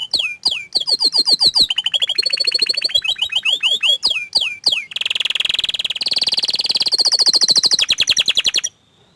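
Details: Varied song of an orange frost canary: bouncing swept notes and short trills, then a long, loud rolling trill that shifts higher before stopping abruptly.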